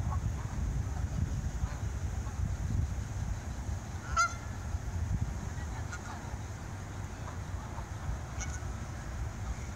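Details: Canada geese taking off outdoors: a single sharp honk at about four seconds, a couple of faint calls afterward, and steady low wind rumble throughout.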